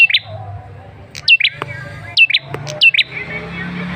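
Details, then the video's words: Lure call of a male red-headed tailorbird: bright downslurred chirps in doubled bursts, several in close succession, over a soft low background hum. "Suara pancingan Prenjak Kepala Merah jantan"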